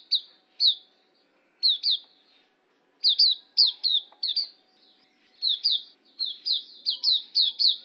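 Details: Hume's white-eye, pleci auriventer, as tutor song: scattered high, slurred downward chirps, first single notes, then tighter runs of quick twittering toward the end, with quiet background.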